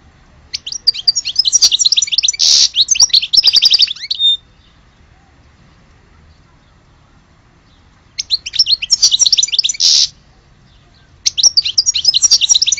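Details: European goldfinch from Algeria singing three long bursts of rapid, tinkling twitters, each with a harsh buzzy center, separated by silent gaps.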